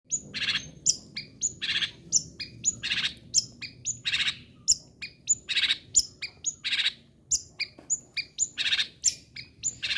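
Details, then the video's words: Long-tailed shrike singing persistently, a lure to provoke other shrikes into continued singing: bursts of harsh, buzzy chattering notes alternating with short high whistled phrases, repeated about twice a second, with faint low background noise. "CENDET GACOR PERANGSANG BUNYI MEMANCING CENDET LAIN AGAR TETAP BUNYI"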